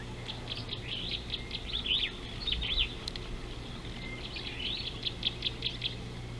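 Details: Superb starling at an African river, 19 July 2018: bursts of fast, squeaky, warbling chatter with twisting high notes, in two runs separated by a short pause, over steady low hum and faint background noise.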